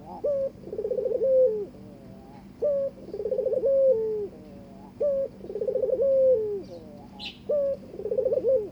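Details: Barbary dove with a mate, inviting it to mate, gives four coos in steady succession, each a short note, a rolling trill and a long downward glide, spaced roughly two seconds apart.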